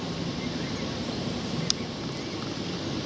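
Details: Rural countryside walk from Hook to Winchfield on 28 June 2019, with steady low wind rumble, a distant vehicle hum and one brief sharp click midway.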